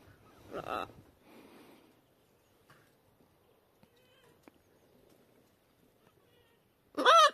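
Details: Pet macaws out flying on a calm, sunny winter day in February, energetic and chatty after resting through windy cold; a rough squawk and a softer call early, a long near-silent stretch, then one sudden loud harsh scream.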